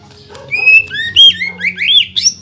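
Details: Greater green leafbird song, showing off imitated material to provoke other leafbirds: a varied, rising and falling sequence of loud whistled slurs climbing higher toward the end.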